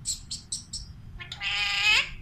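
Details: Pet Alexandrine parakeet talking indoors; a few short high chirps followed by a drawn-out rising harmonic screech-like utterance.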